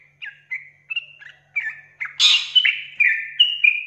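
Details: Gacor sooty-headed bulbul giving short spaced whistled notes that speed into a rapid liquid run, interrupted midway by a loud harsh rasping burst, with a faint low hum beneath.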